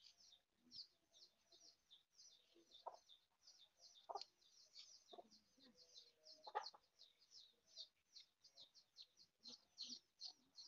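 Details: Mother hen foraging, clucking in low, clipped notes, some louder and spaced every second or two, under steady rapid high cheeping.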